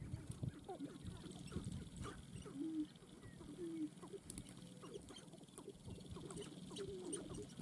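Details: Sharp-tailed grouse displaying at a dancing ground: low clucks and cooing notes with short tonal coos recurring about once a second over a busy, low rumble of overlapping calls.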